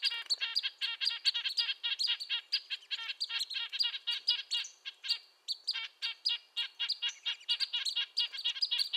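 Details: Red-breasted nuthatch, a small songbird of coniferous forest, giving high-pitched nasal calls likened to a tin trumpet, a dense run of short repeated notes with several birds seemingly overlapping, barely any pause throughout.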